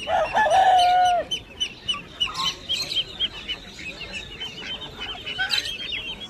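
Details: A rooster's drawn-out, level crow lasts about a second and fades at a duck and poultry market with a small chicken farm, as winter approaches, followed by a busy chatter of many small birds chirping high and fast.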